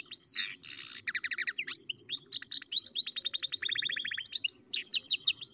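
A goldfinch-canary mule sings a fast, high, twittering song of buzzy notes, quick trills and sweet rising whistles, running continuously for over five seconds.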